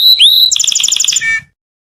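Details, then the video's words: Canary song aimed at rousing females to mate: a clear rising whistle, then a rapid series of sharp pulsed notes, closing with a brief buzzy trill before silence. "The strongest canary twitter to hear and irritate females to mate"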